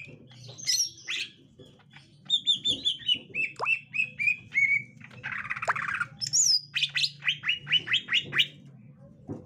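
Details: Green leafbird of the gotri type meeting a young wild green leafbird: mixed squawks, a descending series of whistles, a harsh buzzy rasp, then rapid repeated chirps, over persistent low hum.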